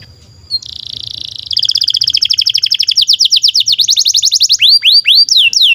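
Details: Canary singing long for training young canaries and birds that stopped singing: opens with a flat held whistle, moves into a rapid rolling trill that speeds up, and finishes with looping swooping notes.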